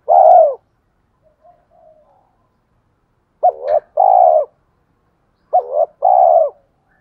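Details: Decoy spotted dove in the thổ pha voice style, calling to bring wild doves in to fight: a long mellow coo, a pause with faint soft notes, then two phrases of a quick stuttered note followed by a steady, warm coo.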